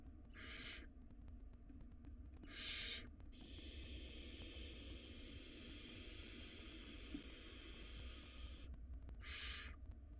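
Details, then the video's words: Wild barn owl nestlings in a nest box, contesting a large rodent. Two short hisses, a long, drawn-out quieter rasp lasting over five seconds, then one more brief hiss. "Barn Owl Nestlings Engage in Tug-of-War Over Very Large Rodent Prize"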